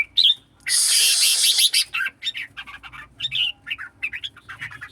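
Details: Red-whiskered bulbul in a singing contest: a brief whistled phrase, then a loud harsh rasping burst over a second long, followed by quick, varied chirping notes tumbling along in rapid succession.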